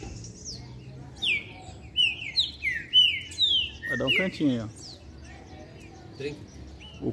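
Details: A green-winged saltator, or trinca-ferro, delivers a long song sequence of loud, ringing whistles, each note dropping in pitch, in a quick burst of about eight notes, followed by quieter chirps, knocks and voices.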